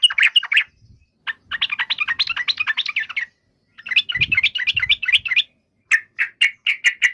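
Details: Yellow-vented bulbul song of fast bubbly chattering phrases in several bursts, ending with a string of separate, evenly spaced chips.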